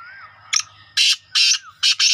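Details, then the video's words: Young black francolin, said to call eight times a minute: a few loud, harsh, grating bursts follow one another in quick succession after a short thin note. A faint whistle sounds in the background. "Kala Teetar Ka Bacha 8 ki Speed | Black francolin Patha One Miniute 8 Voice"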